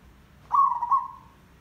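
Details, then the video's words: Single zebra dove coo from a recording played to lure birds into traps: a loud, wavering, mid-pitched note that trills briefly and then fades out over about a second. "Merbok Tandang Derak Lebat - Perkutut Gacor Pancingan Ampuh - Suara Mikat Perkutut Merbok"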